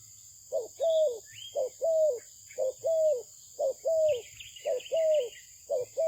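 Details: Malaysian-bred spotted dove cooing in a very regular pattern, a short note then a longer level-to-falling coo, repeated about six times, while faint high twittering from other birds drifts in behind.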